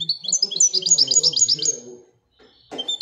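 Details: European goldfinch, royal goldfinch type, singing a fast twittering phrase of high, bright, jingling notes for about two seconds, then a short pause and a brief sharp call with faint low background sounds.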